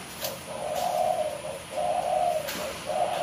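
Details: Spotted dove cooing steadily: soft, mellow, low coos, a short note then a longer held one, repeated roughly every one and a half seconds, with faint background hiss.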